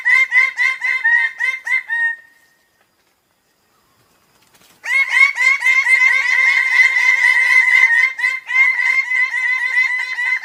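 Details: Bird of paradise calling in fast bursts of harsh, nasal notes, roughly four a second. A two-second run stops, silence follows, then a longer, louder run resumes and carries on to the end.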